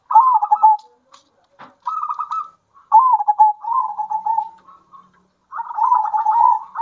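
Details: Zebra dove song, alternating local wild and captive-bred birds, meant to excite other doves: repeated rolling coo phrases, trilled and gently falling, some long and wavering, separated by short pauses, with a faint knock.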